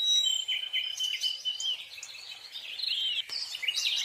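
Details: Scarlet minivet, a steady high whistle opening into a run of bright slurred chirps and sweeping notes, rising and falling quickly, with several overlapping voices and a faint natural background.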